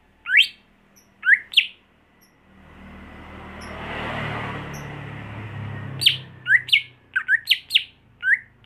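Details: Captive home-raised greater green leafbird kept for contests, giving loud upswept chirps. A swelling broad rushing noise fills the middle seconds, then the bird bursts into a quick cluster of sharp rising notes.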